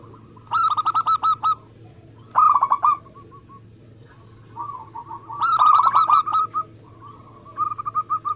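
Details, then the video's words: Local zebra dove in repeated song: four separate bursts of quick, clipped cooing notes, each about a second long, spaced by short silences, the later phrases softer. "Perkutut lokal gacor"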